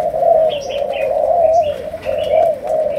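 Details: Malaysian spotted dove in chiêu gù song, sấm đồng voice, coos in a smooth, wavering, continuous low roll, louder in two swells, while small birds twitter faintly higher up.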